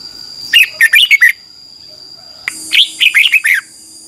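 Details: Red-whiskered bulbul morning song, recorded as training material for a wild-caught bird: two quick phrases of five to six bubbly whistled notes, separated by about a second of quiet with a steady high hum.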